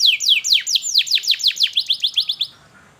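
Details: Canary "cuit cuit" phrase from a lure for teaching young birds to sing: a run of about fourteen rapid high down-sweeping notes, slightly speeding up, then silence.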